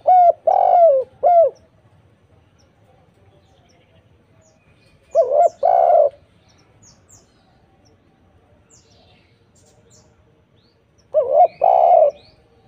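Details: Spotted dove in lively song, played as a lure to get silent doves to sing back: three bursts of low, mellow cooing, each a quick run of rounded coo notes with a longer drawn final coo, spaced about five seconds apart over quiet background.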